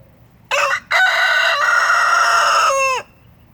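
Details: Rooster crowing while his hens dust-bathe: a short opening syllable, a pause, then a long sustained harmonic crow of about two seconds ending in a falling, wavering slur, with low background hum.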